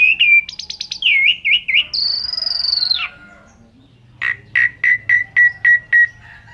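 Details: Asian pied starling in energetic, imitation-rich song, used to tutor caged songbirds; fast warbled notes and a drawn-out descending whistle, then a pause and a steady series of sharp chirps about every third of a second.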